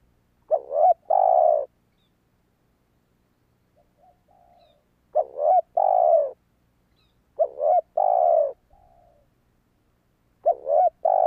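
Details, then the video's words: Spotted dove cooing meant to lure wild doves, four loud phrases each of quick hiccuping notes followed by a long steady coo, spaced by pauses holding soft distant coos. "Tiếng chim cu gáy kích bổi hiệu quả"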